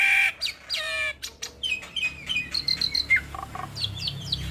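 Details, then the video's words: Lively song of a hybrid starling, rich in varied fill-in phrases, meant for tutoring Asian pied starlings and other songbirds; a harsh opening burst, then a rapid run of short bright whistles and chirps, some rising, some sharply falling. "Jalak Silangan gacor Full Isian Pas Untuk Masteran Jalak Suren dan Burung Kicau lainnya"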